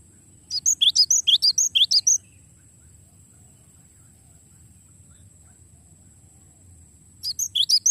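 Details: Gelatik batu (Cinereous tit) long rolling song for training songbirds: a two-second burst of rapid, sharp rising chirps, a long pause with only low hum, then the chirping run starts again.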